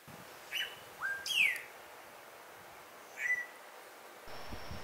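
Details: Melodious Blackbird singing at Xpujil, a bird not always easy to see while it displays and sings; a few sharp whistled slurs, one falling steeply from high, another short rising one, spaced by pauses, ending in a brief noisy thump.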